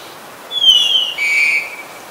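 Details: Black-collared starling recorded in Ubon Ratchathani, Thailand, on 10 February 2023: a loud clear whistle sliding down, then a steady lower whistled note, rich in overtones, over quiet background hiss.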